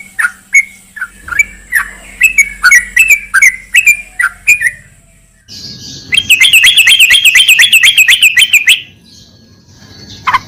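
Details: Sooty-headed bulbul, locally trucukan, played as therapy for a bird that has stopped singing: spaced slurred whistled notes, then a dense burst of fast, bubbly chatter lasting about three seconds.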